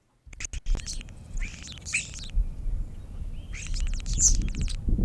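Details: European Starling in Saint Joseph or Elkhart County, Indiana, gives a jumbled run of clicks, rattles, buzzy notes and a short whistle, high and irregular, over a steady low rumble of background noise.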